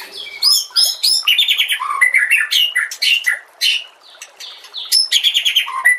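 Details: White-rumped shama (murai batu) song used as a master track for training other shamas: rapid, varied bursts of sharp chirps, trills and whistled notes in quick phrases, with a short lull near the middle.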